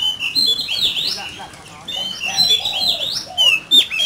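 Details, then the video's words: Caged oriental magpie-robin in fierce competitive song: two bursts of rich, warbling whistles with upslurred and downslurred notes, a pause between them, faint voices in the background. "Chòe Than,Bộ Đẹp,Hót Đấu Căng Lửa."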